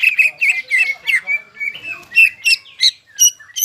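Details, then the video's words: Energetic greater green leafbird song from a crested, hard-singing caged bird, played as therapy to make stressed, silent leafbirds sing again; rich slurred whistles and bright chirps follow one another quickly, climbing into higher sharp notes near the end. "CUCAK IJO GACOR JAMBUL NGENTROK PALING AMPUH MENAIKAN EMOSI CUCAK IJO STRES DAN MACET"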